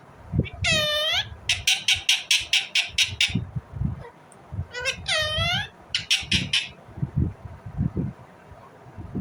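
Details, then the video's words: Harsh, falling, many-layered screech from an Indian ringneck parrot, then a rapid burst of sharp clicking chatter. The screech-and-chatter sequence repeats. Low bumping noises run throughout. "Indian Ringneck parrot Natural sound, parrot chirping sound"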